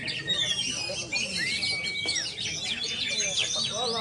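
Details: Kept oriental magpie-robin, called kacer sultan, singing a dense stream of high whistles, trills and slurred notes, with one long level whistle in the middle, over a steady hiss and busy background.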